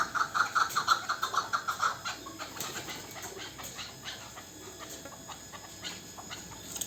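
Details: Local chukar partridge, a young bird from last year, opening with a quick train of sharp, loud clucks over two seconds that then fades into softer scattered notes and hiss.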